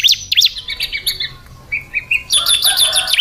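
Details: Female Bar-winged Prinia (ciblek) chirping: quick, high, sharp chirps, about three a second; a brief thinner trill mid-way gives way to a dense burst of overlapping chirps at the end.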